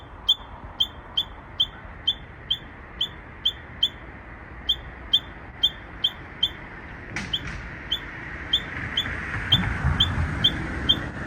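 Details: ['Strange song of a Japanese bush warbler, perhaps a young bird still learning: steady string of short, bright high chips, about two a second, then background noise swells and a few fainter notes continue.']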